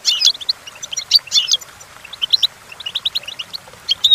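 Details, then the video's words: Goldfinch song for teaching goldfinches: opening loud buzzy jangles, then a fast string of short, evenly spaced chirping notes, ending with another bright burst. "Golden Tunes The Entrancing Song of Goldfinches Birds"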